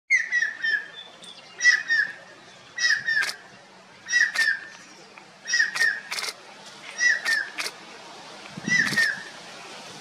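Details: A male Stork-billed kingfisher near Kota calling at the start of the breeding season: loud, harsh, slightly falling squawks in short bursts about once a second, broken by sharp clicks and faint background noise.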